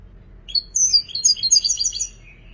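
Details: Goldfinch song: tinkling, rapid twitters and trills mixing high slurred notes, ending in a thinner buzzy falling tail, over faint low background hum.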